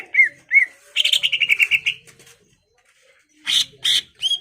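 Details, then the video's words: Greater green leafbird, a caged bird, singing to provoke a rival into fighting: two short whistled slurs, then a fast run of about ten clipped notes, a pause, and loud buzzy bursts ending in a rising whistle. "CUCAK IJO GACOR MEMANCING EMOSI LAWAN AGAR MAU JAMTROK DAN TARUNG"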